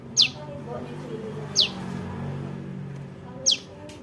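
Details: Calls of a juvenile prinia used as a lure for trapping birds: three thin, high notes dropping sharply in pitch, repeated at uneven intervals of about one and a half to two seconds, over soft low background sound.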